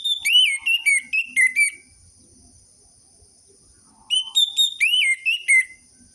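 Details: Orange-headed thrush singing to draw out reluctant captive birds: two phrases of loud, clear whistles, some arched and some falling, delivered quickly, with about two seconds of quiet between them.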